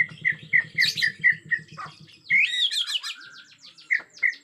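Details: Agitated Bornean white-rumped shama in a forest setting repeats short, bright chirps at a quick pace, breaks into a fast, looping warbled whistle, then returns to the clipped chirps. A low buzzing hum sounds underneath the early notes.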